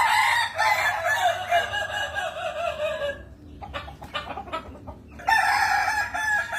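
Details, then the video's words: Kukuak Balenggek rooster, a Minang singing breed, ending a layered crow with wavering tones, followed by scattered clucks and clatter before a fresh crow begins. "Ayam Kukuak Balenggek"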